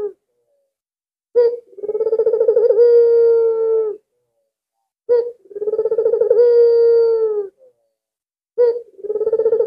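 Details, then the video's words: Albino Barbary dove, a lure bird for other doves, calling in regular rounds about every three and a half seconds: an abrupt onset, a rapid pulsing roll, then a smooth held low note, with clean silence between. "BURUNG PUTER ALBINO SANGAT GACOR"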